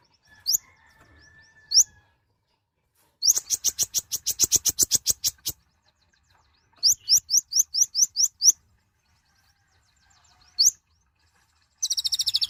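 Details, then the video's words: A bright-plumaged nectar-feeding mouse-colored sunbird singing: isolated upslurs, a long burst of rapid sharp ticks, a run of rising slurred whistles, and a closing high fast trill. "Kicauan suara burung Kolibri Ninja(konin) gacor"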